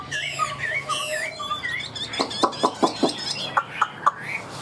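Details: Tame Chinese hwamei offered for sale, noted for its fanned tail and good voice, giving clear rising-and-falling whistled notes at first, then a series of sharp knocking clicks roughly every half second.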